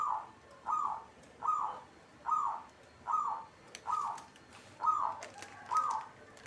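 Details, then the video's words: Zebra dove (perkutut) of local stock delivering a run of short cooing notes, each opening with a bright tip then softening, evenly spaced at just over one a second; faint rustling noise in the second half. "hitungan detik perkutut cepat bunyi atau gacor"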